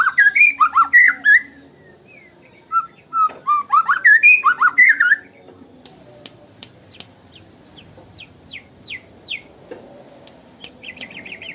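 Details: White-rumped shama singing a lure song in the rapid 'tembakan' style: five seconds of loud, rich whistled slurs, then a run of sharp descending chip notes and a fast high trill at the end.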